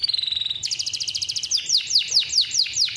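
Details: Captive male canary singing persistently, its long roll meant as a tutor for young birds learning to sing: a fast steady trill for half a second, a dense rattling burst, then a run of descending whistled notes about five per second.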